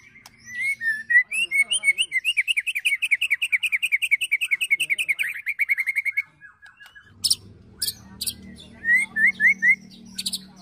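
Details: White-rumped shama in an emotional ketrekan with cililin and prenjak fill-ins, a provoking and training track: a long, fast rattle of upslurred notes for about five seconds, then sharp high chips and quick trilled phrases.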